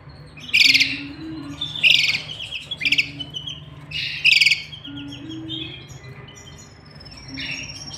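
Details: Canaries in a cage with a nest of chicks being fed by the pair: loud, harsh, broadband chirping bursts roughly once a second, mixed with thinner high notes, over a steady low hum.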